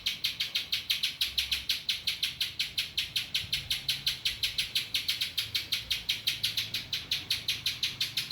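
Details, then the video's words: Spiderhunter singing a song filled with ciblek (prinia) phrases: a fast, steady series of sharp high ticking notes, almost three per second, running without a break. "burung pinjantung isian ciblek"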